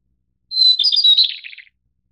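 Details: Single phrase from a White-browed Shortwing of the Taiwan-endemic subspecies goodfellowi: a clear, level high whistle runs into a rapid, tumbling twitter that slides downward and fades after about a second, with no other sounds.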